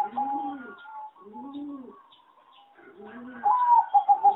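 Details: Competition-type zebra dove from a breeding farm, its melody described as poor: low rolling coos repeated in arched phrases, then a sharper burst of rapid, evenly pulsed cooing near the end.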